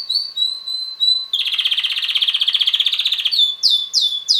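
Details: Young red male canary, roughly six months old, that sings most of the day: smooth whistled notes, then a dense buzzy rattle for two seconds, ending in bright downward-sweeping whistles.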